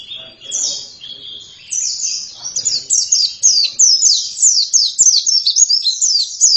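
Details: Oriental white-eye singing vigorously (gacor), a fast run of high, thin twittering notes sliding downward, about two per second at first, speeding into dense chatter toward the end; background otherwise quiet.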